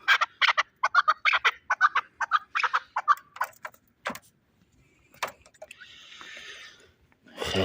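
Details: Fighting chukar partridge from Shahritus, Tajikistan: a run of short, harsh chuck notes repeated about once a second, then the calling fades into scattered clicks, a brief hiss and a loud closing noise.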